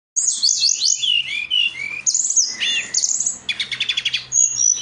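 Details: Brown-chested jungle flycatcher song for training other birds: rapid varied whistled notes and sliding high phrases, then a buzzy stuttered trill, ending with short clear whistles.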